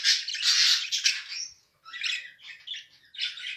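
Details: Two mated budgerigars: a loud harsh drawn-out squawk first, then after a short silence several shorter scratchy chirping bursts.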